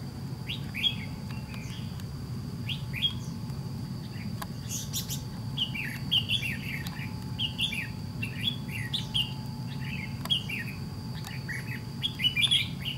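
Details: Red-whiskered bulbul of the white-cheeked type, wild-caught, singing during trap fighting with a decoy bird; many quick warbled, chirpy phrases of rising and falling notes repeat every second or so over a steady low rumble.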